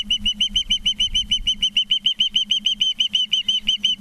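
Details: Ospreys at a Charlo, Montana nest, 19 September 2023, 20:14: an unbroken, evenly spaced string of high, clear chirps, roughly three each second, with a faint low hum behind.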